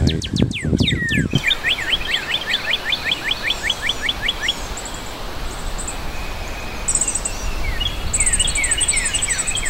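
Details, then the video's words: Red cardinal song: after brief voices at the start, a fast series of about fourteen sharp downslurred whistles runs for several seconds, then fades into steady background hiss with faint high chirps later. "Cantoria do Cardeal Vermelho"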